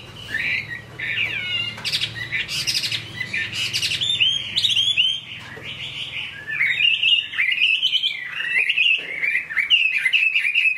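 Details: In the rain, a Chinese hwamei pours out rich, varied song: quick twittering runs and scratchy bursts, then a stretch of clear, wavering whistled phrases, with a low murmur underneath.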